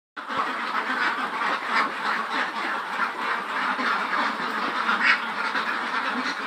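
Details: Flock of about 400 Khaki Campbell ducks, over 110 days old, on a farm in Muktagachha, Mymensingh, producing a dense, continuous wall of overlapping nasal quacks with no pauses.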